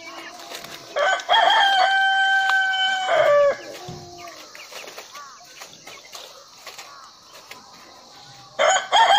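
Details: Rooster crows once for about two seconds, a steady harmonic note that drops at the close. Quiet rustling and faint clucks follow before a second crow begins near the end.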